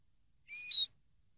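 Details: Common linnet from a training recording, one brief high whistled phrase with a steady tone stepping down slightly, then a louder buzzy ending.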